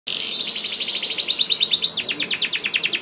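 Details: Canary singing, used as a lure song to prompt other canaries to sing; a fast train of high rolling trills, first level then shifting to quicker downward-sweeping notes, steady and continuous.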